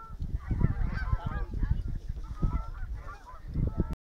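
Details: Geese passing overhead in a skein, with repeated overlapping nasal honks over strong low-pitched wind noise, ending abruptly.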